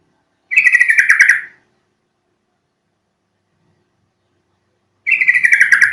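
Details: Yellow-vented bulbul call meant to make caged birds start singing: two bright, rapid stuttering phrases, each about a second long, separated by roughly three and a half seconds of silence.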